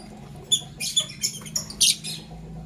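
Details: Lovebirds, a green Fischer's and a pastel blue, chirping in the morning: short, sharp, high chirps come in quick separate bursts, about six within under two seconds, over a quiet low hum.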